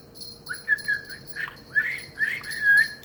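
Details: Male budgerigar, eight years old, kept indoors, starting to talk when a cool-sounding bell rings on a scorching day: several short whistled, slurred phrases at a steady mid pitch, bell ringing faintly behind.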